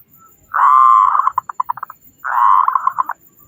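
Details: Local zebra dove with a big voice, singing to prompt other doves to sing sooner: two phrases, each a long buzzy rolling coo followed by a quick run of short pulsed notes that speed up and fade.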